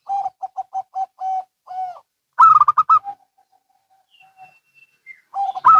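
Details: Two zebra doves, a local and a Bangkok bird, trading phrases: a string of short even coos ending in a longer note, a louder rattling run of higher coos, quiet trailing notes, then a fresh phrase.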